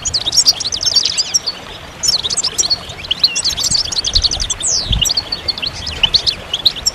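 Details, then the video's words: A goldfinch sings bright, twittering phrases of quick, high, slurred notes, pausing briefly around two seconds, then resuming with liquid trills and downward sweeps. "Magical Goldfinch Songs"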